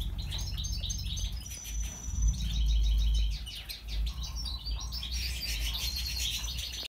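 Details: European goldfinch, Major type, lutino opal pied mutation with white head, singing a twittering mix of high buzzy trills and thin whistled notes over a constant loud low hum and rumbling background noise.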